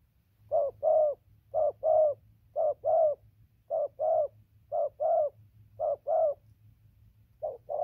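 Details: Newly caught spotted dove cooing without pause, recorded 15/11/2020: rhythmic pairs of low, mellow coos roughly every second, steady and clear, with a low hum beneath.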